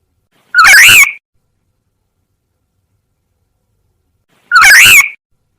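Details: Black-naped oriole lure call used to attract wild orioles: two identical short, harsh, nasal, cat-like calls with a wavering pitch, spaced about four seconds apart, with silence between.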